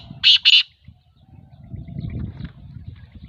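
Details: Black francolin, one of two young first-season males calling against each other in competition; two loud, harsh, rasping bursts in quick succession open the recording, followed by low rumbling background noise and faint scattered notes.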